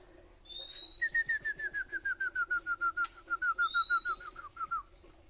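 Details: A caged Oriental magpie-robin being tamed indoors whistles a long run of clear, even notes, about four a second and gently falling, framed by two quick rising upslurs, over a faint indoor hum.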